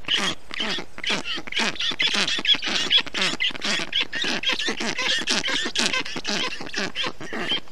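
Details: Storklets of the black stork in Estonia, 20 June 2021, calling as a parent brings water, moss and wet grass to cool the hot nest; fast, loud, rhythmic chattering calls, about two per second, harsh and buzzy.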